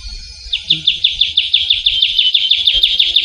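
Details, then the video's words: Wild trilling shrike-babbler, known locally as ciu kunyit, on Java: a clear, regular trill of rapidly repeated sharp downslurred notes lasting nearly three seconds, preceded by a thin whistle. "Suara Burung Ciu Kunyit (Trilling Shrike-Babbler)"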